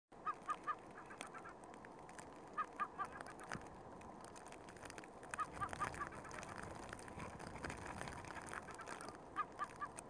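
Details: Kelp gull perched on a barrel on a snow-covered Antarctic shore, giving short, nasal, honking notes in quick bursts of three or four, repeated every few seconds over steady wind and surf noise.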